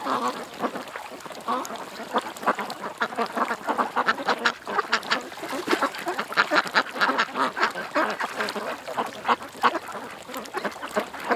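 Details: Ducks gathered at a creek, a dense overlapping chorus of harsh nasal quacks running continuously, several birds calling at once with little pause throughout.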